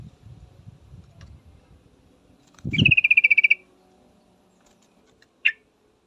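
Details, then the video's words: Female yellow-vented bulbul calling to a male: one rapid, evenly pulsed chattering rattle lasting under a second, followed later by a single short sharp note, over faint low rumbling background noise. "suara trucukan betina full memanggil jantan pasti langsung pada nyaut"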